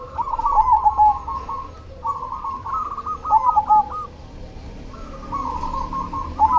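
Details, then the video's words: Black cemani zebra dove singing busily: three phrases of fast, bubbling, stuttered coos about every two and a half seconds, each ending in a few louder clipped notes, over faint cooing from other doves and low hum. "SUARA PERKUTUT CEMANI GACOR"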